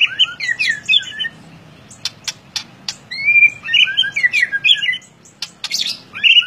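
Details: Lively ngeplong-style song of a white-rumped shama, with quick warbled whistles swooping up and down, interspersed with dry clicking notes and bursts of rich, varied phrases.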